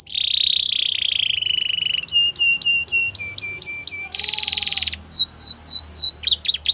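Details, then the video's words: Belgian canary giving a varied song: a sustained buzzing trill, evenly spaced clipped notes in paired rows, a dense rattle, then curving downslurred whistles and a few sharp strokes, all high and clear. "Belgian Canary Singing"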